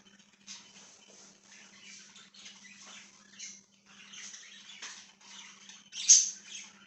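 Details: Parakeet softly chattering with gravelly, clicking twitters, rising to one loud, sharp squawk near the end, low mains hum running throughout.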